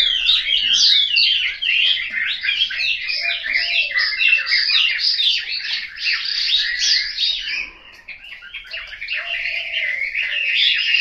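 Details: Home-kept Chinese hwamei from Hanoi delivering a fast, dense run of sweeping whistles, about three notes a second, with a brief quieter dip before the song resumes strongly.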